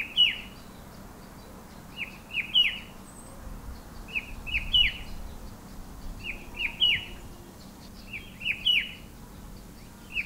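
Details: Cheery, insistent calling of a rufous-winged Himalayan shrike-babbler perched on a bare pear tree in hill gardens: about six phrases of two or three clipped whistled notes, spaced irregularly every one to two seconds, steady quiet background.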